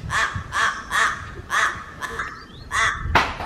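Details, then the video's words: Crows at Raja Ampat in Papua calling with a quick series of hoarse, duck-like caws, roughly two per second, then a brief lull before a few more. "Burung Gagak Papua di Raja Ampat"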